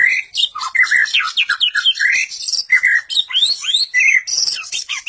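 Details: Varied, energetic white-rumped shama song mixing slurred whistles, squeaky high notes, quick rising sweeps and short buzzy bursts, changing note type every fraction of a second.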